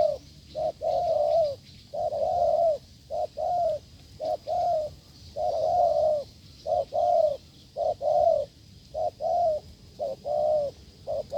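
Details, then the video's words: Strong cooing from a wild spotted dove encountered while testing a decoy: an unbroken run of soft hollow coos, brief notes mixed with longer swelling ones, about one a second, with low background hum. "đụng bổi đồng gù cứng,gù lợi cốt quá phê"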